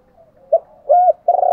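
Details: Decoy spotted dove calling to excite wild doves; low murmuring notes lead into three loud, hollow coos, the middle one drawn out and the last wavering.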